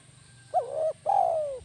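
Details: Tekukur, or spotted dove, used as a decoy bird, singing one kuk 1 phrase: a short looping double note, a brief pause, then a long smooth coo sliding downward, with steady low hum behind.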